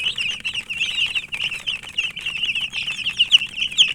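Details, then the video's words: Chicks of the domestic chicken give a rapid, continuous chorus of thin high peeps, notes coming over twice a second in uneven bursts, some sharp louder chirps near the end. "Murgi chicks Chirping sounds"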